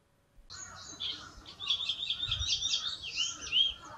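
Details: A chestnut-cheeked starling, a summer visitor to Japan, gives a high, busy chatter of squeaky, rolling 'kyuru kyuru' notes run together with barely a pause, higher and louder than a white-cheeked starling.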